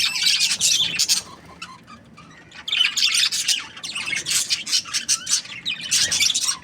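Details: Budgerigar chatter comes in bursts: scratchy, high chirps and squawks in quick clusters, separated by short, quieter gaps.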